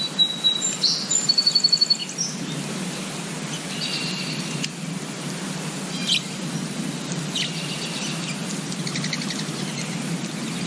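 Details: Wild songbirds in spring nature giving high chirps and a quick trilled series of notes near the start, then scattered buzzy chirps over a constant low background hum.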